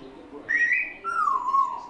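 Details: Young female African grey parrot, 14 weeks old, kept as a pet, chattering as she finds her voice after a nap: two whistled notes, the first slightly rising and high, the second lower and gliding downward, with quiet room background.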